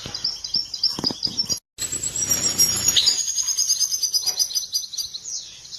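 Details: European goldfinch mating song, described as making a female take a mating posture after hearing it. Dense, high twittering and tinkling trills run almost nonstop, broken by a brief silent cut near two seconds, over faint low background rumble.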